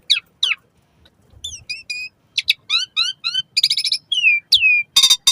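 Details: Asian pied starling song used as a lure for caged birds, morning and evening: sharp chips, repeated descending whistled notes, buzzy harmonic bursts and downslurred whistles in a quick irregular series.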